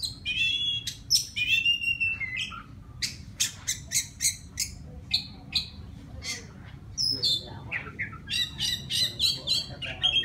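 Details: Oriental magpie-robin of forest stock sings to attract a female, delivering short sharp whistles and clicking chips in quick uneven bursts, some notes sweeping upward, over steady low background hum.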